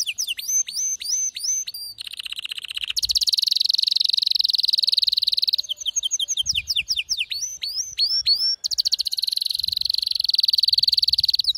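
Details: Excited male canary singing: quick rising whistled notes repeated in a series, then long dense buzzy rolls, more upward-sweeping repeated notes and another sustained rapid roll.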